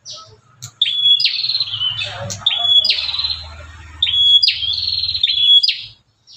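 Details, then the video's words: An aggressive, fired-up bar-winged prinia outside a cage gives loud, high, sharp chirping phrases slurring into quick buzzy notes, about every one and a half seconds over a faint low hum, a sound used to provoke other prinias. "BURUNG PRENJAK GALAK INI SUARANYA BISA BUAT MEMACING BURUNG PRENJAK LAIN"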